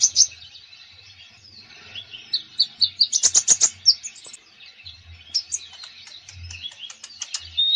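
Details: Konin bird singing a full, varied song: high twittering notes and slurred whistles, then a quick burst of sharp clicks and a run of scattered chirps, over a soft low hum.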